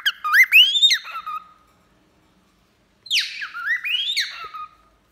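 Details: Pet cockatiels, a male and a female, whistling during a bath: loud, bright whistles that sweep upward and then drop to a lower steady tone, in two bursts about three seconds apart, with silence between them.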